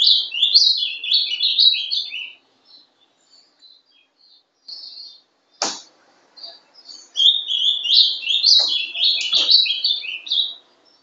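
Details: Ultramarine grosbeak (Passerina brissonii), young bird hatched December 2012, singing Paraná style song: fast phrases of warbled, up-and-down whistled notes, loud bursts separated by a quieter pause, with a few sharp clicks.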